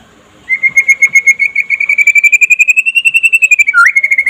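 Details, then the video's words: Daytime white-rumped shama (murai pastol) song meant to get other shamas singing: after a short silence, a long fast trill of pulsed notes slowly climbs in pitch, then closes with a quick dip and a level whistle. "SUARA KICAUAN BURUNG MURAI PASTOL DINLAGI HARI AGAR CEPAT GACOR"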